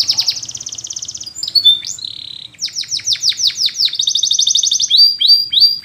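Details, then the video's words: Training song of a Spanish Timbrado canary, with fast metallic trills alternating with series of loud descending whistled notes, a brief pause midway, then a rapid rattling roll and short falling phrases. "Spanish Timbrado Song For Training"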